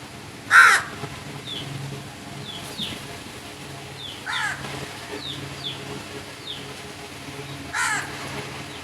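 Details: Crows calling, one loud harsh caw near the start and softer caws around four and eight seconds, with faint high thin calls of other birds and a low steady hum throughout.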